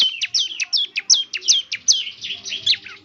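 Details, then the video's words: Ciblek singing loudly, for playing each morning to draw replies from other ciblek; closely spaced, high whistled notes that swoop downward, delivered in a fast, even series. "ciblek semi gacor, putar tiap PAGI agar ciblek semi ikut nyaut bunyi GACOR"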